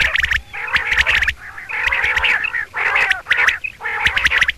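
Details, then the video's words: Female common quail (Coturnix coturnix) giving hoarse, nasal "double" notes in quick bursts of several, about one burst a second, with short pauses between. "CALL COMMON QUAIL (Coturnix coturnix) Double Batair ki Boli, Batair Ki double Awazay, Female sounds"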